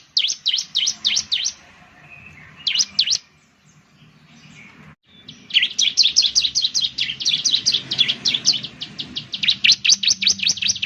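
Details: Ciblek (Bar-winged Prinia) lure song for getting birds to sing: quick runs of high sweeping chirps, a short lull with a dropout, then a long, dense, almost continuous chatter of rapid chirps over faint low noise.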